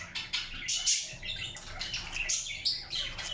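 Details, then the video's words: Indian ringneck parakeet grinding its beak: a run of short, dry, scratchy high-pitched rasps and clicks in irregular bursts, with faint chirpy overtones and little background noise. "PARROT GRINDING ITS BEAK"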